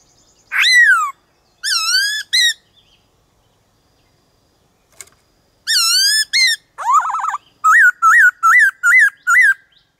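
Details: Black-throated laughingthrush singing 'đảo giọng', used to make kept birds sing and to teach young birds forest song: falling whistles, a pause, then a bubbling trill and a run of six quick, evenly spaced hooked notes.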